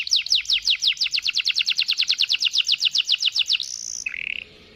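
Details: Waterslager canary delivering a long rolling song, a steady roll of downward-slurred whistled notes repeated about seven times a second, ending in a thin high note and a short lower trill.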